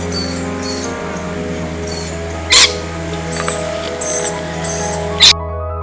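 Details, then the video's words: Parrots at Forest Lake, Australia, on 12 December, calling close by: shrill, high screeches in short repeated bursts, with two harsh, louder calls standing out over a steady low background hum that may be music. "Here's parrot calls again, and this time they're much closer than the other ones we heard were."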